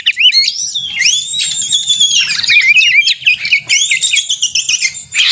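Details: Song of a white-rumped shama meant to provoke another bird into singing: long ringing whistles that arch up and down, mixed with rapid warbles and short repeated phrases, loud and continuous.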